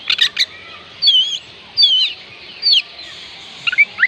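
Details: Song of an Oriental magpie-robin, played to encourage reluctant birds to sing: a burst of short notes, then well-spaced sweet whistled phrases with wavering and rising slurs.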